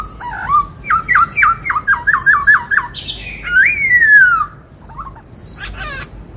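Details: Caged white-cheeked laughingthrush singing in the 'bắt cô trói cột' style: loud clear whistles, a run of rapid repeated up-slurred notes, then a long descending slurred whistle and a few short sharp notes, with a quiet room background.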